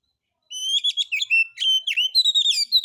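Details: Captive-style White-rumped shama lure recording meant to make other birds sing, relaxed rough material: continuous varied whistled phrases with buzzy trills and quick downslurs, delivered rapidly without pause.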